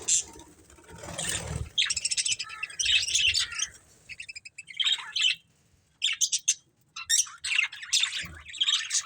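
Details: Two breeding budgerigars keeping up busy, bright chirps and warbled chatter in irregular clusters, with short silent gaps between bouts.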